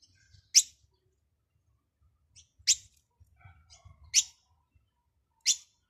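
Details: European goldfinch chirping: four crisp, high chips spread across about six seconds at uneven gaps of roughly one to two seconds, with a faint low murmur between them.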